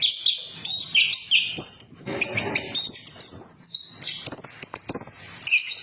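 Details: Orange-headed thrush singing as a lure for other birds, a dense medley of high whistles, scratchy chatter and sharp squeaks running nonstop, with a faint low rumble in the background.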